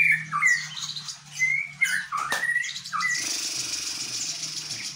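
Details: White-rumped shama song copying the bar-winged prinia: several sharp, whistled slurs spaced about half a second apart, then a brief click and a burst of hissing noise.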